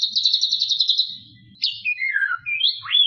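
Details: Mimicry-rich 'isian' singing by a white-rumped shama: a second-long high pulsed trill, then a varied run of falling and rising slurred whistles ending in a sharp upward sweep.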